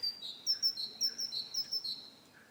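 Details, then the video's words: Great tit song: clear two-note phrases, a high whistled note dropping to a lower one, repeated about every half second in a steady see-saw rhythm. "Canto Del Carbonero Común Audio Del Carbonero Sonido Del Carbonero"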